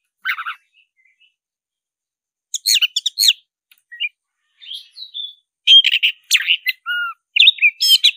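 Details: Black-breasted Oriental magpie-robin singing in fighting style: scattered short chirps, then after a silent gap a run of loud clipped whistles, buzzy notes and a low clear whistle, in quick uneven bursts.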